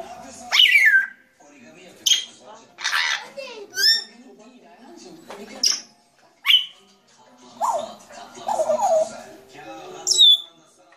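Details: Grey parrot giving a varied run of loud calls: sharp rising and falling whistles, harsh broadband squawks and lower gurgling notes in irregular bursts, with quiet gaps between them.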